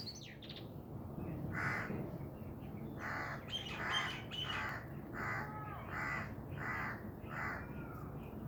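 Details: Black francolin calling: a run of harsh, rasping bursts repeated roughly every half to one second, with thin chirps from other birds and a steady outdoor rumble beneath.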